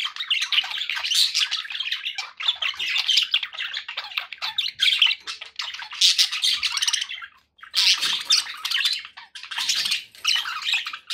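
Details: Pet budgies in a lively group chorus: long runs of dense, buzzy warbling and squawks, pausing briefly once before the rapid chatter resumes.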